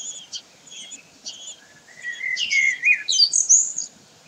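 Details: Common kestrels recorded at Sägeweg, 16 May 2023: a few thin high whistles, then a louder run of slurred, falling and rising squealing calls, several overlapping, ending in sharp high notes.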